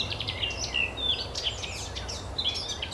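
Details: Eurasian blackcap (Sylvia atricapilla) singing at the Oostplas in Goirle, Netherlands, on 24 April 2012: a fast, rich warble of varied high chirps and short clear whistles over a faint low rumble.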